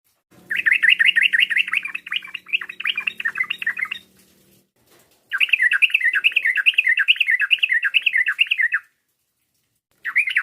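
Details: Yellow-vented bulbul call used to provoke a rival: two long bursts of rapid, bubbly chirps that rise and fall and repeat over several seconds, with a pause between bursts and a brief restart at the end.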